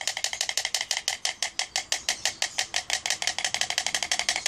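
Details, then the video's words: White stork bill-clattering on the nest: a dry, wooden rattle of sharp clacks, about ten per second, running steadily throughout with a slight quickening toward the end. "White storks clattering on nest (bill-clattering)"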